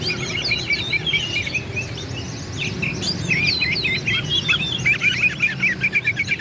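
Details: Oriental magpie-robin song used to make rival birds sing back: curling whistles and scratchy notes, ending in a fast, evenly repeated chattering trill of about a second, over steady low background noise.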